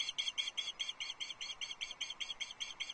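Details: Loch Arkaig female osprey fish calling to her mate on 6 July 2024, who gives no reply; a continuous rapid series of shrill, evenly repeated piping chirps, roughly five per second throughout.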